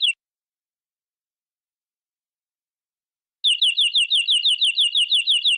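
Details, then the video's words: Local canary of forest origin in full-fill master song with luxurious variation. A brief note is followed by three seconds of silence, then a quick repeated trill of high, slurred chirps. "Suara Burung Kenari Lokal Full Isian Durasi Panjang Agar Cepat Gacor!"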